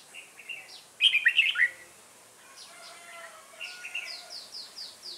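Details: Red-whiskered bulbul in a decoy-bird trapping session: a loud warbled phrase, then quieter chatter and a series of short descending whistled notes repeated at the end.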